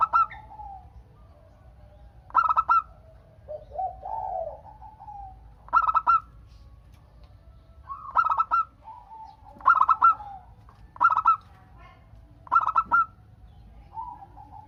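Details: Zebra dove, local Indonesian bird, singing eagerly to draw answering songs from other doves. Seven short, punchy stuttered coo phrases come at uneven intervals, with faint soft cooing and trilled notes in the background.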